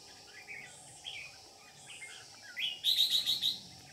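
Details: Red-whiskered bulbul used as a lure bird while trapping, singing the Ché style, 13 May 2019: soft warbled phrases, then a loud quick run of about five bright chirped notes at the end, over steady background hiss.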